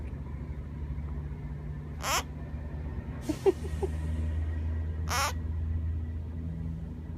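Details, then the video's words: Pet half-moon parakeet, fond of being pampered, giving two quick, hissy sneezes about three seconds apart, with a brief squeaky sound between them over a steady low hum. "Parakeet sneezes!"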